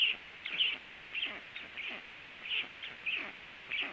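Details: At a nest where a black stork comes in to land near a second stork, harsh squeaky calls repeat at a brisk, uneven pace, some louder and clearer, others soft and blurred.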